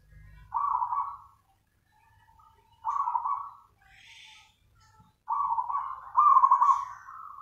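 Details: A zebra dove (perkutut) sings lively nganyer-style song: three rolling, vibrating coo phrases spaced about two to three seconds apart, the last one longer and louder, with faint soft notes and rustles in the pauses.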